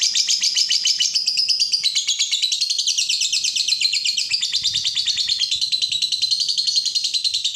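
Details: Lovebird in continuous, excited song, offered as a training model: an unbroken stream of high, rasping, rapidly pulsed notes that rise and fall slightly in pitch throughout.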